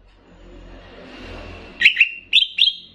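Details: Greater green leafbird from Banyuwangi, in a training recording with bebeci song. A low hissing background swells, then two doubled chirps and a pair of clear upslurred whistles ring out over about a second.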